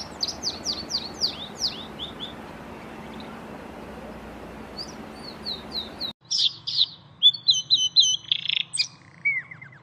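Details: A canary (Serinus canaria) singing in the open sings a fast, high series of sweeping, down-slurred notes, about two per second; after an abrupt cut come brighter trills and whistled phrases over a steady hiss.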